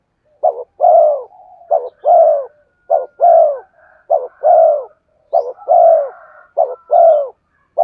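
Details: Spotted dove cooing to lure wild birds: a short double note followed by a longer, slightly falling coo, the pair repeated about every 1.2 seconds, low and mellow, with a faint higher bird note in the background.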